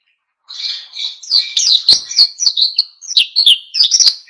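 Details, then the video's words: Oriental white-eye singing in lively wild-style 'ngalas' fashion, used to provoke other birds into singing: a dense, rapid run of high, thin twittering and chirping notes that starts after a brief silence and continues without pause. "SUARA PLECI GACOR NGALAS PANCING EMOSI BURUNG LAIN IKUT GACOR"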